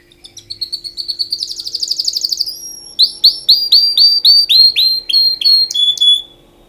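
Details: Canary singing for mating: loud high trills, a fast rattling run of notes, then a series of bright repeated downslurred whistles about four per second, ending in a sharp tone.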